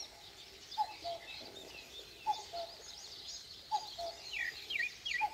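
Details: Common cuckoo at dawn in the Korean countryside sounds its two-note cuck-oo three times, each pair dropping in pitch, followed by a burst of sharp high chirps from another bird.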